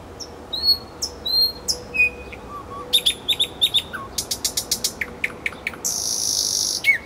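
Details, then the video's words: Singing nightingale in the Kuzminki woodland park, Moscow: varied phrases of high whistles and low fluty notes, then repeated clicks, a fast rattling run of strokes and a loud rasping buzz. "Голос соловья"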